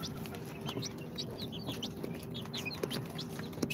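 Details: Newly hatched chicks of Sultan, Golden Sebright, Cochin and booted breeds, two days old from an incubator, giving scattered high thin peeps with a steady low hum and faint knocks underneath.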